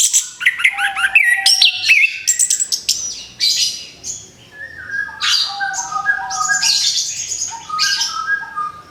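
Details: Orange-headed thrush just after moulting, ready to sing again: a varied run of sharp whistled notes and buzzy high phrases, with steady lower whistled tones running underneath.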